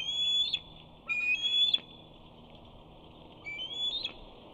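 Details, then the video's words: Young eagle trying to gain entry to its Big Bear nest to claim a fish gives shrill, whistled squees, rising and wavering, in three bursts about two seconds apart over quiet background hiss. "Simba squees as he tries to gain entry to the nest."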